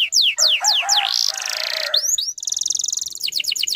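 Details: Canary song played to get young canaries singing: downward whistled sweeps over a lower warbling voice, then a fast even trill and more sweeping notes.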